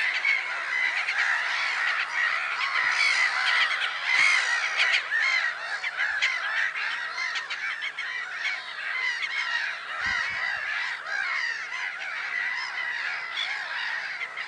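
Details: Black-headed gulls calling at Lake Sarymsak, Pavlodar Region, Kazakhstan, on 10 April 2011: a dense, continuous chorus of harsh, overlapping squawks from many birds, with no pause across the recording.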